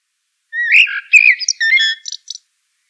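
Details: Common blackbird singing one phrase: low fluty warbled notes around the middle, then a thin, high, scratchy twitter trailing off at the end, with silence on either side.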